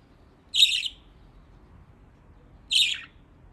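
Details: Pet budgerigars playing in water: two separate short, bright, scratchy chirps about two seconds apart in an otherwise quiet room.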